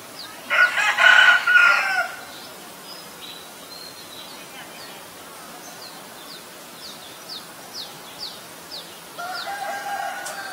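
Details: Common Myna at Ubon Ratchathani, Thailand, on May 3, 2022, Nikon P1000 recording: a loud, harsh, grating outburst early on, a quiet stretch with faint high down-slurred chirps from other birds, then a softer rasping phrase at the end.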